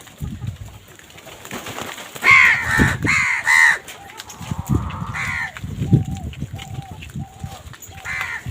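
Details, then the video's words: Crows squabbling over food give a run of loud, harsh, hoarse caws, three close together then another a little later, over a background of steady, flat, whistle-like tones and low thumps. "কাকের ডাক Crow Sound Crow ki Awaz Loudly | Crow bird Fight for Food"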